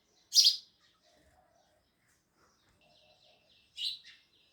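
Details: Sparrow chirping: one loud, harsh chirp, then soft trilled twittering, then a second, slightly quieter chirp.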